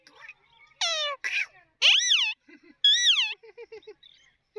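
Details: Indian green ringneck parakeet, a pet being tamed, gives loud harsh squawks and downward-arched screeching calls, followed by short low chattering notes in a quiet room.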